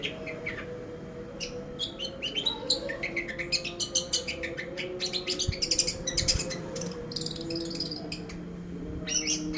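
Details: Long-tailed shrike in a pastol-style cendet lure for training: dense, excited bursts of rapid high chirps and trills, loudest mid-clip, with a low steady hum beneath.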